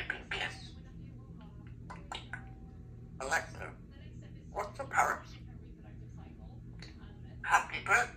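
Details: A 3-year-old female Congo African grey parrot practises talking at home, giving short speech-like bursts of mimicked words and sounds such as "give me a kiss" and "I love you", with pauses between phrases over a low steady indoor hum.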